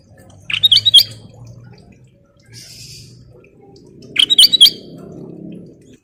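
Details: Black-crested bulbul singing vigorously in the nyiul style: two short bursts of sharp, bright whistled notes about three seconds apart, over a low humming background.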